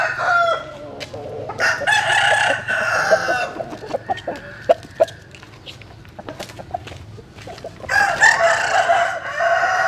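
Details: Dawn crowing from roosters among chickens sunning in the morning: a crow opens, soft clucks and clicks fill the middle, and another long rasping crow follows near the end.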